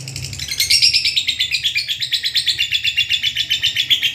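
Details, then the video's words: Long ngekek of a lovebird, meant as master audio to get silent lovebirds singing: a continuous fast chattering trill of shrill pulses that starts ragged, then settles into a steady rhythm, with a faint low hum beneath. "masteran burung Lovebird ngekek panjang. Lovebird males bunyi akan mau bunyi"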